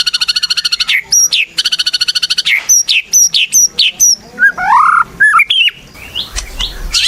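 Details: White-rumped shama singing hard, used as a lure to get other shamas singing: rapid pulsed bursts followed by a string of sharp high slurred whistles and lower warbled notes, ending in softer scattered calls.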